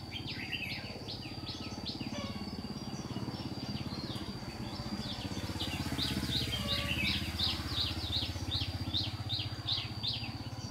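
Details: Red-whiskered bulbul kept as a decoy bird for trapping. Short, chirpy, whistled notes come rapidly, several per second, in lively bursts. A steady low engine-like hum runs underneath throughout.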